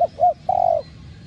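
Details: Spotted dove cooing in the giọng đồng style, used to stimulate decoy doves: two short rounded notes, then one long, level, slightly falling coo. Faint low rumble underneath.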